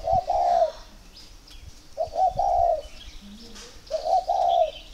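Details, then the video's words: Spotted dove from a northern Vietnamese bird garden in Ba Vi, calling to show it is ready to pair; three low coo phrases of two short notes and a longer purring coo, about every two seconds. "Dấu hiệu để ghép chim cu gáy"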